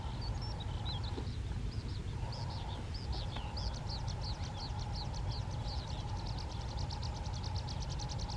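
A bush lark sings high, thin notes that quicken into a fast, even trill, half-buried under a loud low rumble and a steady hum.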